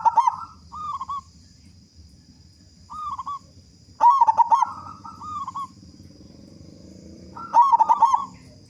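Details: Strong-voiced local zebra dove singing to spur other doves into song: repeated soft, warbling coo phrases broken by three loud bursts of fast, clipped coos.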